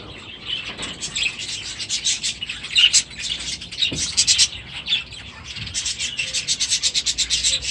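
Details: A flock of budgerigars with chicks in aviaries keeps up continuous chirping and warbling chatter, with a few louder notes standing out.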